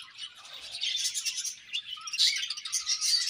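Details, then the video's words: Budgie pairs chirping in a brief, dense run of high, scratchy warbling notes that grows louder toward the end. "𝑪𝒖𝒕𝒆 𝑩𝒖𝒅𝒈𝒊𝒆 𝑷𝒂𝒊𝒓𝒔 𝑪𝒉𝒊𝒓𝒑𝒊𝒏𝒈 𝑺𝒐𝒖𝒏𝒅𝒔"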